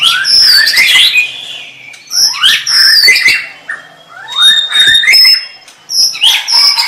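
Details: White-rumped shama song in bursts about a second long, each a rich mix of rising whistles and sharp clicky notes, separated by short gaps, with one clear pure whistle mid-way.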